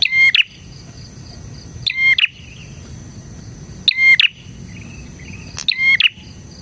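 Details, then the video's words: Lively bar-winged prinia song for luring other prinias: four loud, rattling two-part phrases, each a buzzy burst around a pure whistled note, spaced about two seconds apart, with soft low background noise. "suara burung PRENJAK GACOR isian 💯% cocok untuk MASTERAN PRENJAK dan Pancingan prenjak bahan"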